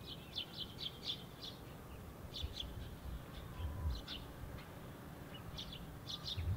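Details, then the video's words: Sparrows feeding in a tree on 25 February, recorded with a tripod and external microphone: short high chirps in quick bursts of two to four, scattered through the clip over steady low rumbling background noise. "Sparrows Feeding In Tree"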